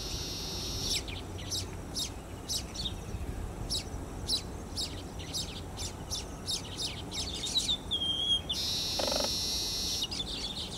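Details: Baya weaver recorded at Emaar Imperial Garden beside Dwarka Expressway in Gurugaon using a Canon EOS 80D: a long run of quick, high ticking chirps, followed by a harsh, hissing wheeze lasting nearly two seconds and a few final chirps.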